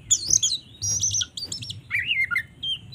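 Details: White-rumped shama fighting song for provoking shamas, fast and varied: high twittering trills, sharp chirps and a few lower slurred whistles, over a steady low hum.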